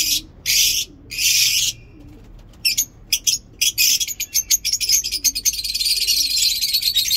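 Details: Lovebirds at a mini zoo: two long harsh screeches, then a quickening run of sharp high ticks and squeaks that merges into continuous shrill chattering.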